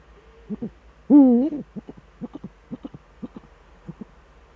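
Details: Male Eurasian eagle-owl at the nest in the Eifel, duetting on the evening of 13 December 2013 at 17:25; one long, swelling harmonic call opens the clip, followed by a regular series of short clipped double notes.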